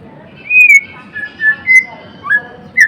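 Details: A white-rumped shama, Blorok type, delivering gacor song: a series of pure, drawn-out whistled notes at varying pitches, spaced about half a second apart, over quiet background hum.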